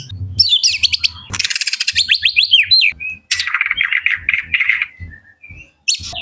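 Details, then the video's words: White-rumped shama singing to provoke other shamas into answering and rousing them: loud, rich whistled phrases with rising and falling slurs, rapid chattering notes and a run of warbled notes, with short pauses and soft low thumps underneath. "Suara kicauan burung murai batu ampuh pancing murai banyak bengong DIAM JADI NYAUT DAN EMOSI TINGGI"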